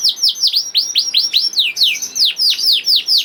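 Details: Juvenile canary singing to encourage other canaries: steady series of loud, clear downward-swooping whistles, about four per second, with a few softer high overtones.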